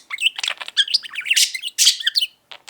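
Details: Indoor pet budgie, a five-year-old male, babbling a quick run of buzzy chirps and squeaky warbled syllables for about two seconds, followed by two faint clicks.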